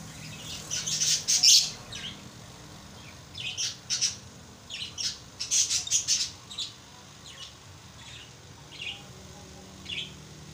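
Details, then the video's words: Pet lovebirds making scattered sharp, high squawks and chirps, some in quick clusters and others single, spread unevenly through the recording over a steady low background hum. "love birds singing"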